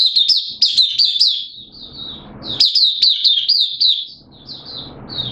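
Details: Kept oriental white-eye in open singing, form slightly dipped: bright high warbled phrases of quick rising-falling notes, broken by short pauses, with soft low rustling noise between phrases.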